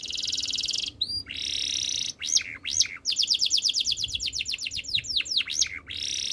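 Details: Singing canary with a dense high buzzy trill, a short break, then rapid rattling notes and a series of falling whistled sweeps in lively succession.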